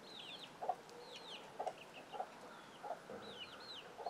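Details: Hen's alert sound to scrambling young chicks: brief, low clucks spaced about every two-thirds of a second, with high, arched chick peeps in small bursts between them.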